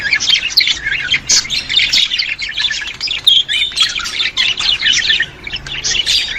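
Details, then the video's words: Lively budgerigar warbling used to stimulate budgies, a nonstop tangle of high chirps, clicks and short whistled notes from several overlapping voices, steady in loudness with a few sharper squeaks. "اقوي صوت يساعد على تحفيز طيور البادجي"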